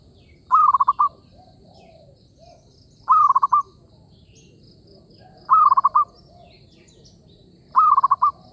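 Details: Zebra dove heard in a trapping setting, giving four rolling, bubbly coo phrases, each a lifted opening note followed by rapid pulsed notes, spaced roughly two and a half seconds apart over a soft low rumble.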